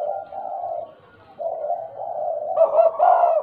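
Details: Tame spotted dove, described as a stuttering, frequent caller, giving low hollow coos in drawn-out phrases, with a pause near mid-clip and a louder, more rounded burst of coos at the end.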